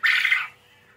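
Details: Quail calling actively in captivity: a single loud, harsh, buzzy squawk of about half a second that fades abruptly, over a faint steady hum.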